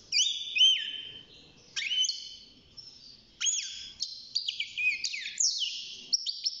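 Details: Young caged European goldfinch, six months old, beginning to sing: bursts of clear whistled notes with sharp falling slides and twittering, separated by short pauses in a quiet room.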